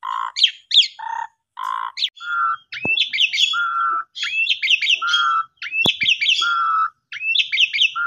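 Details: Asian pied starling in full, lively song, used as a lure to prompt silent or sulking birds to sing: a low steady whistle, a sharp upslurred note, then a quick burst of high chirps, the phrase repeating about every 1.3 seconds against a quiet background.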